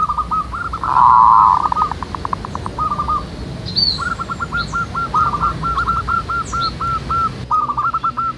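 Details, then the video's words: Local zebra doves singing together (manggung) outdoors in nature: a loud rushing burst early on, then long rows of short curled coos, some quickened into runs, with scattered high chirps from other birds. "SUARA BURUNG PERKUTUT MANGGUNG RAMAI DI ALAM"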